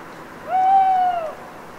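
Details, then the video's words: Solitary owl in a forest at night after a long autumn rain, Les Assions, France: a single mournful, pure-toned hoot held nearly level for about three quarters of a second, gently arching, with faint overtones and quiet background hiss. "en Forêt la Nuit, après la Pluie, une Chouette"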